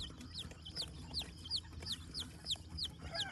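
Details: Silver Laced Polish chick on a Vermont farm, US, peeping steadily: bright, high notes that slide downward, repeated roughly three times a second over a low rumbling background.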